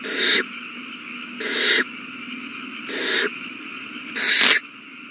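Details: Owl chicks begging while being fed on March 27, 2020, all the young eating well: four harsh, broadband hissing screeches, each about half a second, spaced roughly every 1.3 seconds over a low steady background hum.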